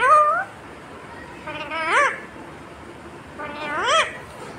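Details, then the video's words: Pet parrot talking, mimicking "mummy" and "papa": three short, voice-like harmonic syllables, the later two sweeping upward at the end, separated by quiet gaps of roughly a second and a half. "talking Parrot mummy 😍 papa 😍"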